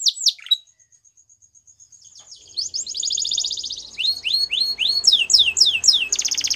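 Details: Waterslager canary singing: after a sparse opening, rapid high rolling trills and repeated downward-sweeping whistled notes build in loudness, with faint low background noise.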